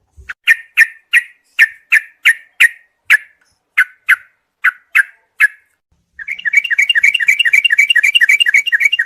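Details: Yellow-vented bulbul in a night training mix for songbirds: a series of crisp chip notes spaced about every third of a second, a brief silence, then a dense, rapid chattering warble to the end.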